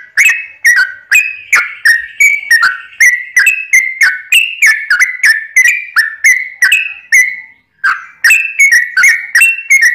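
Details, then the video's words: Lure song of a lively Sooty-headed bulbul, played to set other bulbuls singing: a steady stream of sharp, liquid whistled notes, each bending down in pitch, delivered quickly and almost without break over ten seconds. "trucukan gacor ROPEL PANJANG pancingan trucukan agar bunyi"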